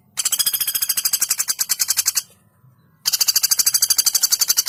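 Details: Female woodpecker, recorded as a model for training songbirds; rapid machine-gun-like rattle of dense, evenly spaced high notes lasting about two seconds, a brief pause, then the rattle resumes just as fast.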